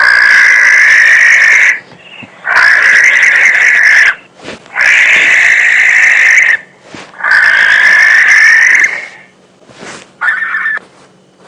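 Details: Barn owl call played from a phone at dusk on a Djuma Game Reserve safari drive, offered as an eerie call: four long, harsh hissing screeches of about two seconds each, then shorter rasping bursts, faint hum.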